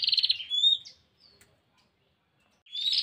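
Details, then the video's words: Female bar-winged prinia calling a male; one short buzzy trill ending in a rising whistle, then near silence, and a new rising buzzy note starting at the end. "Suara burung prenjak betina memanggil jantan"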